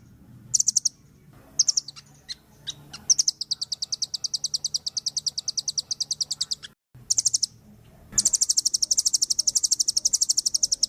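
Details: Vigorous song of a velvet-fronted nuthatch, called rambatan paruh merah: a few isolated piercing notes, then sustained machine-gun trills of high chips, interrupted by a brief gap, then a dense, loud trill.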